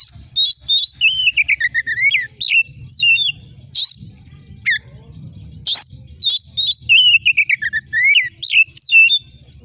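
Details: Rich, fast song of a prolific oriental magpie-robin, meant to rouse contest birds: dense runs of sharp upslurred and downslurred whistles and chattering notes with brief harsh bursts, almost without pause.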